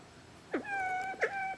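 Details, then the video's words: Siamese fireback giving two shrill, drawn-out calls, each opening with a sharp downward-bending note and then holding a steady, overtone-rich tone for about a third of a second, against a quiet background. "ไก่ฟ้าพญาลอ ไม่ขันเหมือนไก่ แต่ร้องยังไง"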